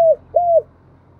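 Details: Spotted dove from Dong Nai, Vietnam: two brief low descending coo notes, clear and smooth, with a quiet background.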